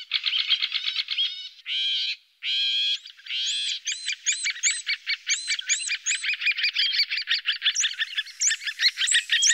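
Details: Great grey shrike in the Loonsche Land near Huis ter Heide. It gives a lively run of rich harmonic notes: rapid chattering bursts, two longer nasal tones, then a string of arched, whistled notes repeated about twice a second.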